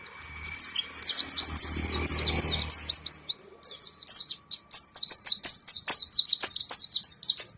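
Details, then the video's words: Caged East Lampung pleci monty singing energetically again, a continuous high, buzzy twitter of quick slurred chirps, with some low background rumble in the first few seconds. "Si casper mulai gacor lagi..."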